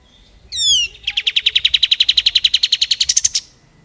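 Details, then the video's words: Plain-throated sunbird singing for use as tutor song for other songbirds. A brief downslurred whistle opens a rapid trill of about twenty-five sharp high notes that climbs slightly in pitch near its end. "KAPAS TEMBAK GACOR"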